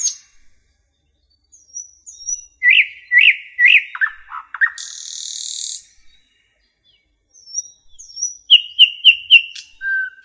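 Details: Common nightingale in a forest: faint high whistles, a few loud repeated chirps, descending strokes and a long buzzing rattle, pauses, then a rapid clipped series with a low whistle at the end.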